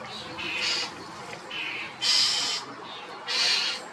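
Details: European starling, also called common starling, uttering loud grating screeches: softer rasps first, then two strong, hoarse bursts about a second apart.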